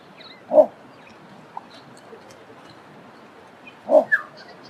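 Little bittern giving two deep, short croaking barks about three seconds apart, over a soft wetland hiss with a faint high chirp from another bird.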